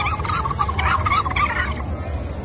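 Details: Turkey gobbling: a rapid, warbling rattle of quavering notes lasting about two seconds, heard over loud, low rumbling background noise.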